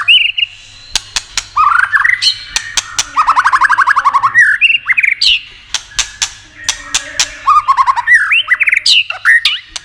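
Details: White-rumped shama singing to stir up other shamas: varied whistled phrases, rapid rattling trills and many sharp clicks scattered through about ten seconds.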